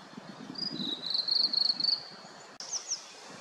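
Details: On a mountain after rain, with mist rising, a Blue-and-white flycatcher delivers a quick string of high, sweet whistled notes, rapidly repeated for about a second. Then comes an abrupt break and two brief chirps over faint background noise.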